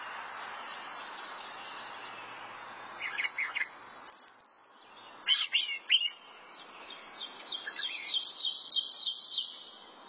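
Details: Thrasher song starting softly, then bursts of loud sharp chips and slurred notes, ending in a long busy run of high scratchy phrases.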